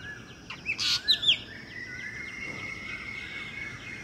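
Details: Black drongo visiting a garden birdbath near trees to drink, giving a brief burst of loud harsh chattering notes around one second, then a faint steady high whine with soft background noise.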